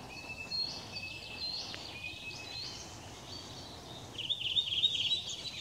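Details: A redwing (Turdus iliacus) singing on 18 April 2021; thin, high whistled notes, then a brief burst of rapid, scratchy twittering over soft background hiss.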